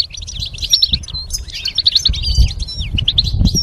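A goldfinch sings a fast, continuous stream of high, tinkling twitters and liquid chirps over a low background rumble.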